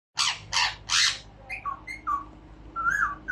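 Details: Pet albino ring-necked parakeet talking indoors: three loud, harsh, raspy syllables, then softer, short, whistled speech-like notes at varied pitches.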